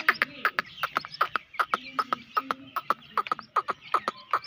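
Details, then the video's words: Grey francolin chicks at play: a rapid, uneven chatter of short clicky chirps, several per second, with lower buzzy notes between them. "Teetar k Bachy Ki Mastiyan | Teetar chicks"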